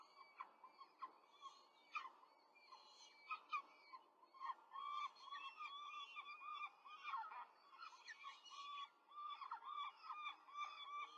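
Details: Peregrine falcon family in Rome, 5 May 2023, with an adult quickly feeding four chicks: a continuous chorus of wavering squeaky calls, many overlapping and repeated in quick succession.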